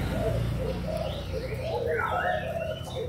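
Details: Spotted doves, young Malaysian and Thai birds, 24 June 2021: low overlapping coos throughout, joined near the end by a louder sweeping whistle from another bird.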